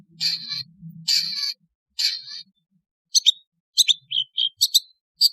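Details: Cendet, the long-tailed shrike, giving its natural wild-style call: three drawn-out grating buzzy notes over a low hum, followed by quick sharp chirps and short clipped notes.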